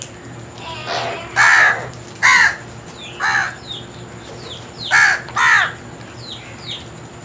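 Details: Repeated hoarse crow caws, roughly seven in seven seconds and clustered in pairs, with a steady faint high hum and scattered chirps of smaller birds.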